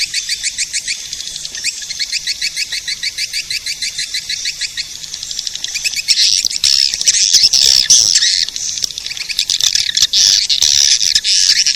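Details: Edible-nest swiftlet attraction call: a long, rapid series of crisp high chirps at a steady pace, building into a loud, dense twittering chorus.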